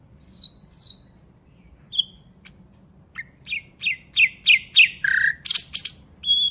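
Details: Nightingale singing: two high, clear slurred whistles, a pause with scattered short notes, then a run of about six sharp descending chirps, a lower burry note, a buzzy flourish and a final level whistle, over faint low hum.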